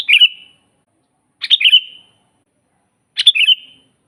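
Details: Actively singing sooty-headed bulbul, recorded as a master for teaching birds to sing: three clear bubbly phrases, a sharp attack then a trailing whistle, spaced about one and a half seconds apart with silence between.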